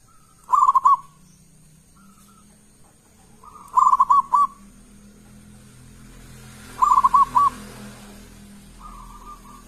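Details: Local zebra dove in loud, full song, used as a lure to get other doves singing. Three stuttering bursts of rolling coos come about three seconds apart, with faint single notes between them and quiet background hiss.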